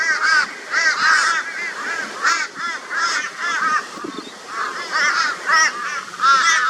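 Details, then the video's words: Flock of crows mobbing a barn owl in Brisbane, Australia, 22 February 2022; a near-continuous din of raucous, nasal caws, many birds calling at once in rapid uneven bursts. "Crow Reacts to Barn Owl with High Volume Raucous Noise"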